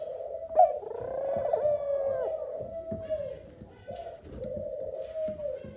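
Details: A courting male Eurasian collared dove at the nest calls the female with a series of long, low, moaning coos that swell and fade, with a few faint background sounds.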